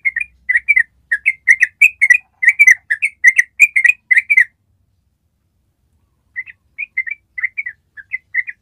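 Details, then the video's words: Yellow-vented bulbul giving a long rattling song: a fast run of bubbly, chattering notes for about four seconds, a pause, then a looser string of short whistles. "SUARA TRUCUK ROPEL PANJANG"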